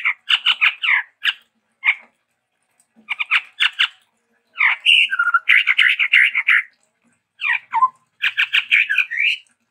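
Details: ['Chestnut-rumped babbler from Sumatra delivering rapid harsh chattering phrases in loud clusters, separated by short silences, with occasional downslurred whistles.']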